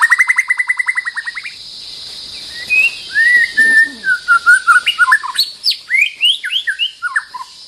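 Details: White-rumped shama confronting a rival opens with a rapid even trill of about twelve notes, then after a pause pours out varied whistled and chattering phrases that climb and dip in pitch.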